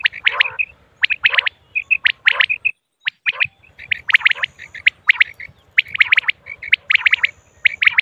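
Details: Female common quail calling in clustered sharp chirps, often in pairs and triplets, with a brief silent gap midway. A faint low rhythmic throb sits in the background.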